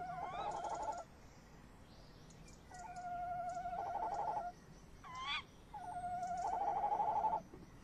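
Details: Pair of tawny owls calling at and on a nest box at 21:45, 30 May 2015, after the male leaves the box; three sustained tremulous trills separated by gaps, with a sharp rising squeal between the second and third.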